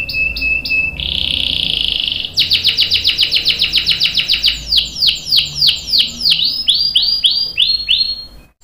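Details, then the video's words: Singing canary with a long roll for prompting others to sing: a few clipped notes, a sustained buzzy trill, then a rapid series of downward-slurred notes gradually slowing and spacing out. "KENARI GACOR NGEROL panjang bagus untuk PANCINGAN dan MASTERAN biar ikut BUNYI | CANARY SINGING"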